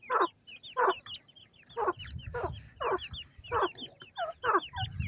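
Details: Dakhni teetar, or grey francolin, chicks being cared for while feeding: a steady stream of short, high, falling peeps over repeated lower raspy chatter bursts about every half second, with soft low rumbling behind.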